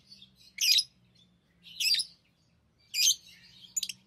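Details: Pet lovebirds, tame and playing with rings, give loud, harsh, high squawking chirps about once a second, each a short rough burst, with soft twittering between and a steady low hum behind.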